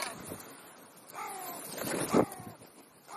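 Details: Crow at a feeding session between breakfast and lunch gives two hoarse, drawn-out caws in the middle, with scuffing and wind-like background noise.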